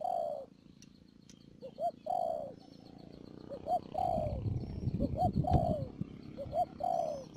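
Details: Decoy spotted dove in a trapping setup at Đầm Dơi, Cà Mau, Vietnam, March 2019; repeated cooing phrases of quick rising notes and a long sliding coo, over a steady background hum and some rustling.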